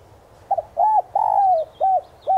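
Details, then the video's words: Spotted dove used as a decoy, cooing in the standard 'son' voice to lure wild doves: a stuttered double note, a rounded hoot, a long drawn downslurred coo, then two more rounded coos. Faint high chirps sound behind it. "Cu đất gáy GIỌNG SON CHUẨN kích bổi nhanh gáy"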